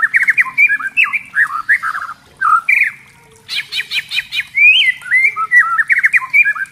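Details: Spotted white-rumped shama in lure song for prompting other shamas to sing: tumbling slurred whistled phrases, a brief pause, a harsh chattering burst, then more lively looping whistles.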